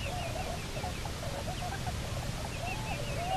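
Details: Pair of Bermuda petrels (cahows) back at their nesting site on Nonsuch Island, Bermuda, 29 October 2018, on a live nest camera: wavering, warbled mid-pitched notes with faint higher overtones, run together in bursts over steady low background rumble.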